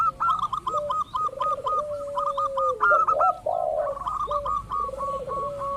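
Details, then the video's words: Zebra dove lure, local birds, intended to make other doves respond: steady run of short clipped higher notes repeated about four per second over rolling, trilled low coos and a drawn-out falling coo. "pancingan burung perkutut lokal ampuh , perkutut lokal jago memancing lawan bunyi"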